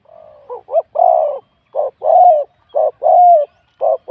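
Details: Spotted dove, a wild-caught bird with a medium-to-large voice, coos in a singing competition. A soft lead-in precedes paired phrases: a short double note, then a long, level, mellow coo, repeated about once a second. The background is quiet.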